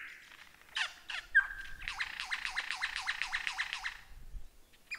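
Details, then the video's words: Lyrebird singing a fast rattling series of repeated buzzy downward strokes after a few harsh notes and a short steady whistle, with faint low rumble behind. "Masteran Burung Lyrebird SUARA EPIC!"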